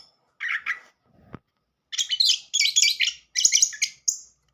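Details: Orange-headed thrush song in a modern style, used as a lure to coax a silent bird into singing: a short chirpy phrase, a pause, then dense bursts of high, varied, rapid notes broken by brief gaps.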